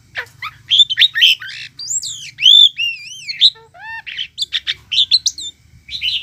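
A myna sings a fast, varied run of clear whistles, bent rising and falling notes, and harsh chattering bursts, nearly continuous with short gaps.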